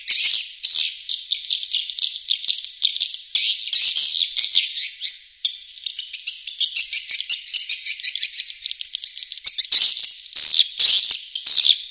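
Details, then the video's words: Swiftlet call used as a lure: fast trains of high, clicky, buzzy chirps running almost without break, with louder sharp chirps near the end. "Suara burung walet panggil"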